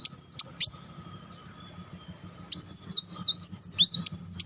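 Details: Kolibri wulung (Van Hasselt's sunbird) chattering: a short high zigzag phrase, a pause, then a longer run of quick, high, jerky twittering notes stepping up and down.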